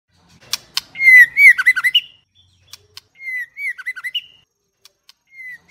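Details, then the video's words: Female White-rumped shama in first plumage singing: clear whistled notes near one pitch, then quick looping, warbled phrases with sharp high clicks, repeated in two bursts with short pauses between. "เสียงนกกางเขนดง หรือบินหลาดง"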